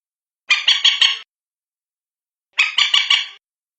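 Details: Night lure recording (manyapung) of the common moorhen, known locally as bantiung: two clipped, harsh bursts of three rapid notes each, about two seconds apart, in silence.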